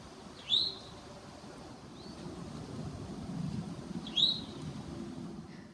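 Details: Eastern Towhee at the forest edge beside a powerline corridor, Manchester Cedar Swamp Preserve, New Hampshire, spring; two loud, sharply rising 'chewink' calls about 3.5 seconds apart with a fainter note between, over low rumble.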